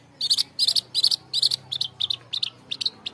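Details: Long-tailed shrike song played to stimulate caged birds to sing: loud buzzy rasping bursts, four drawn-out then quicker shorter harsh notes.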